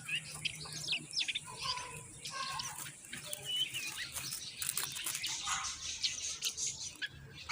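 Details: Common myna chicks begging as their mother brings in moringa to feed them: bursts of harsh, rasping, high chattering calls that rise in intensity toward the middle, with short gaps between.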